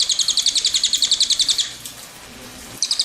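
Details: A cililin's rolling trill of quick high notes for under two seconds, then a short silence before the same rapid trill resumes.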